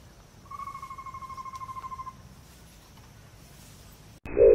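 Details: Amazonian pygmy-owl (Glaucidium hardyi) of the northern Brazilian Amazon, a nocturnal owl that sings at dawn and dusk, gives a rapid, even-pitched trill of about twenty hollow notes in under two seconds, ending with a brief loud burst of noise.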